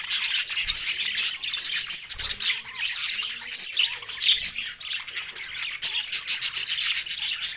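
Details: Happy green budgies feeding together, giving a constant warbled chatter of chirps, trills and short squawks, many voices overlapping without pause, with faint low thumps.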